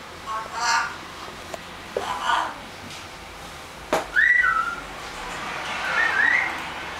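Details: Pet eclectus parrot, 12 months old, indoors, talking and saying its own name: two short raspy speech-like bursts, then a loud clear whistle that slides down in two steps and a softer rising whistle near the end.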